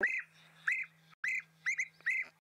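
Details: European bee-eaters flying high overhead at sunset, December, give rolling, liquid 'prruip' calls, about five in quick succession over two seconds, possibly a played recording, with a faint low hum beneath.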